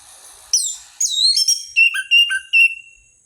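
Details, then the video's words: Orange-headed thrush singing, used as a lure recording: bright downslurred whistles, a rapid twittering run, then several short clear whistled notes and a long level trill. "Pancingan anis merah paling ampuh"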